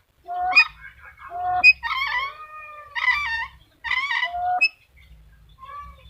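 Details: Black-capped lory calling: harsh, nasal squawks rich in overtones, some drawn out and wavering, in irregular bursts roughly once a second, over a low rumbling background.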